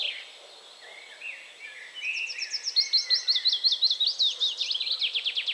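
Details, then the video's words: Willow warbler song building from quiet lower warbling into a loud, fast cascade of high repeated notes that slowly descends in pitch over about three seconds. "Willow warbler / Piecuszek"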